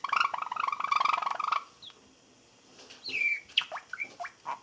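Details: A male Java sparrow about four months old, standing on one leg on a thick perch, practises song on 20 April 2017: a fast, dry clicking rattle, a pause, then thin whistles and quick slurred, bell-like notes.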